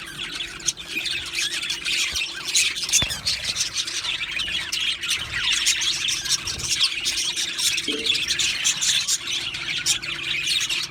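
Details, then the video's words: A budgie colony in an aviary keeps up steady, scratchy chatter and chirping from many birds, with occasional louder squeals, a sharp tap early on, and a soft low hum underneath. "Australian parrot Chirping Sounds | Australian Budgies Parrot Singing Video"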